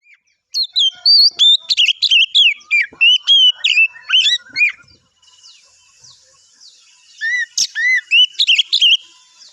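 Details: Oriental magpie-robin singing in the morning, a lure recording meant to draw replies from other magpie-robins: rapid, varied phrases of clear whistles, slurred notes and sharp chirps for about four seconds, a pause, then a brighter burst of rising whistles.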